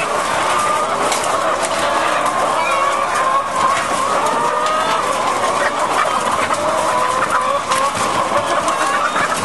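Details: Caged laying hens on battery farms in France, February 2012: a dense, continuous chorus of overlapping squawks and drawn-out cackles from many birds, over a steady mechanical roar filling the shed.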